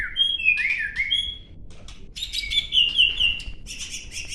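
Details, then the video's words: Caged white-rumped shama at a training session among friends in Gayo Lues, Aceh, delivering bright, high whistled phrases, some sliding downward, then rapid trilled notes and a buzzy ending. "Murai Batu Gunung Leuser Virus CBF Aceh"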